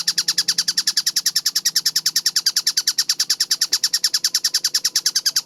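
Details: Fast, even run of sharp, high, rasping notes from a kingfisher (tengkek buto), roughly eight per second, clearly recorded, with a faint low hum underneath.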